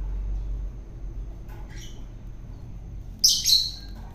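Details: Caught wild and being fed for taming, a long-tailed shrike makes a faint scratchy note, then after a pause a loud, buzzy, grating squawk near the end, over low room hum.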